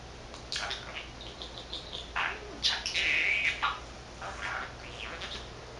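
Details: Thirteen-month-old male pet budgerigar that talks in Korean and Japanese, chattering away alone; soft, fairly distant run of scratchy chirps and garbled word-like bursts with brief pauses.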